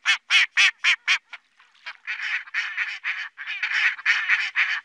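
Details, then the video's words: Loud nasal mallard quacks in a quick series, followed by a continuous stretch of harsh overlapping chattering quacks. "صوت الخضارى صوت نقى"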